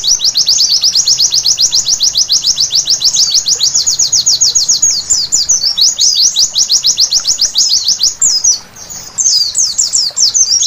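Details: Night-time singing of a white-eye (pleci) used as training audio: long unbroken stream of fast, thin, high chirps in dense series, briefly faltering near the end before resuming.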